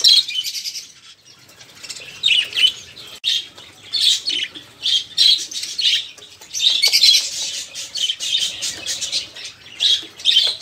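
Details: Noisy budgerigar flock chatter, used to prompt caged songbirds such as canaries to sing; dense raspy warbling and squawks in bursts, repeatedly pausing briefly, many birds calling together.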